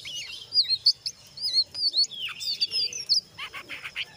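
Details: Lively song of a brown jongkangan, ngeriwik mixed with ngeplong, used to prompt other jongkangan to sing; quick twisting whistles and squeaky chatter, ending in rough rasping bursts.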